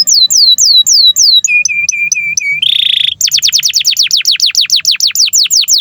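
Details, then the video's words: Canary master song for young canaries and birds that stopped singing: repeated arching whistled notes, a row of short low flat notes, a brief buzzy trill, then rapid downswept high notes about four per second. "SUARA BURUNG Kenari GACOR PANJANG INI Cocok untuk Masteran KENARI PAUD dan Kenari Macet BUNYI"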